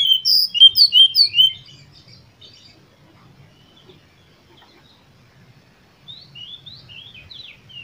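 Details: Oriental magpie-robin singing to provoke other birds: a fast, loud burst of about six clipped whistled notes, then near silence, followed by quieter high twittering phrases.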